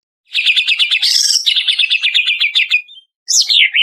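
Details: Greater green leafbird of the Banyuwangi type, a lure song used to coax other birds into singing. Rapid buzzy trill of evenly repeated notes, a brief high rising phrase, a second long trill, then after a short pause a descending whistled phrase.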